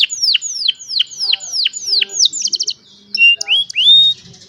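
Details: Clean young canary song for training other canaries: six loud descending whistled sweeps at a steady pace, a quick clipped trill, a pause, then upward-curving whistles and chips.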